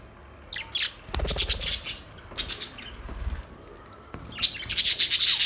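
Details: Budgerigars chirping: bursts of high, buzzy chatter and squeaky notes, with brief pauses and a louder warbling run at the end.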